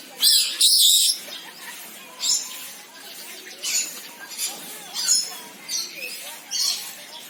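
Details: Senegal parrot giving a series of harsh, rasping squawks, two loud bursts at the start followed by shorter, quieter squawks repeated roughly every half second to second.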